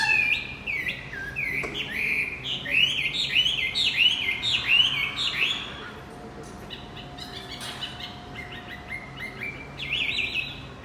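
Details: Male Javan white-eye lure song, played to restart a bird that has gone quiet: rapid run of sharp, arching chirps repeated in a fast chattering series, fading midway, then resuming briefly near the end.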